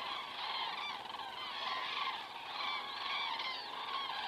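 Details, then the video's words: Evening flyover of common cranes in Estonia, 19 September 2017, 19:10, captured on a crane cam; a thick wash of overlapping bugling calls, rising and falling in waves with no single caller standing out. "cranes flying over"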